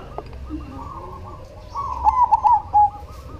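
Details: Zebra dove of the cemani type in active song: faint background cooing builds into one strong rolling phrase of clipped notes ending in a sustained coo.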